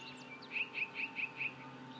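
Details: Yellow-breasted chat delivering five evenly spaced short, harsh chipping notes at a steady mid-high pitch, about four per second, against a low hum.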